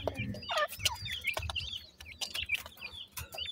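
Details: Black partridge chicks giving sweet chirping calls: rapid high whistled peeps and short sliding notes, closely repeated, over faint low rustling and clucks.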